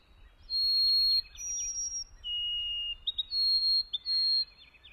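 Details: Clear, pure whistled song of a White-throated Sparrow: a long level note, a higher held note, a lower long note, then several shorter whistles with quick wavering triplet ornaments trailing behind.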